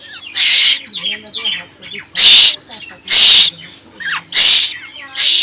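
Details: Hungry koel chick shouting for food: loud, raspy screeches repeated roughly once a second, some short and some drawn out, as a man talks quietly in Bengali in the gaps.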